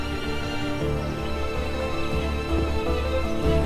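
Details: Soft instrumental background music with sustained low tones plays throughout, and no animal calls can be heard.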